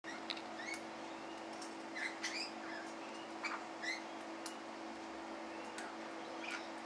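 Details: A flock of lorikeets at feeding time gives short, shrill screeches and chirps overlapping irregularly, a few each second, over a steady low hum.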